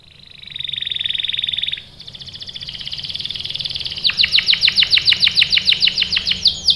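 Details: Canary (kenari), a female in breeding condition calling the male: a steady buzzy trill, then a higher rolling trill, then a fast series of sharp descending chirps repeated about three times per second.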